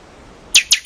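A Buffy-fronted seedeater gives three sharp, high notes in quick succession, each sweeping downward. A quiet pause comes before them, with no other sounds.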